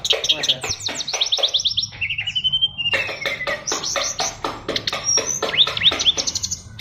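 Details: Brown-chested jungle flycatcher of the Bali type, a fighter bird with a song packed with mimicked phrases. It gives rapid runs of sharp chips and slurred whistles, then a long descending whistle and more fast trills. Soft music plays underneath.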